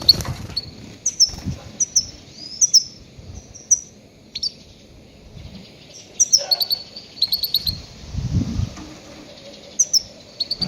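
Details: Goldfinch calls used as a lure for trapping grey-headed goldfinches: scattered short, sharp, high chirps and twittering notes, some in quick pairs, with low rumbling background noise between them.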